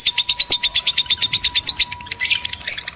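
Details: Male and female lovebirds, a sound meant to stimulate breeding: rapid high chirps in a steady stream, roughly eight notes a second, with a faint constant hum underneath and a harsher burst near the end.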